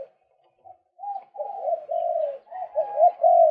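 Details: Male white-breasted waterhen, recorded as a lure for attracting birds: faint soft notes give way to a continuous chain of looping, gurgling croaks that grow louder toward the end, with no other sounds.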